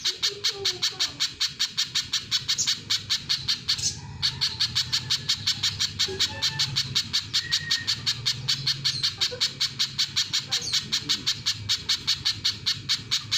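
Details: Rapid, penetrating high notes from a little spiderhunter, repeated nearly three per second for the whole stretch, broken once by a brief click, with a low hum beneath.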